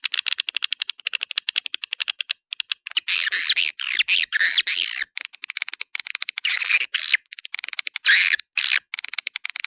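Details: Swiftlet sound aimed at attracting swiftlets: a long run of fast dry clicks gives way to loud rasping, chattering bursts, then more clicking, all high and shrill.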